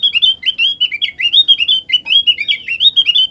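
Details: Opior (white-eye) song played to prompt other opior birds to sing: a continuous, lively stream of high, slurred chirps and warbles, rising and falling quickly, with no pauses and no other sounds.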